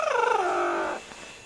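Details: A female double yellow-headed amazon playing under bed sheets gives one harsh, grumbling call lasting about a second, throbbing quickly then sliding lower. She sounds mad but loves this play.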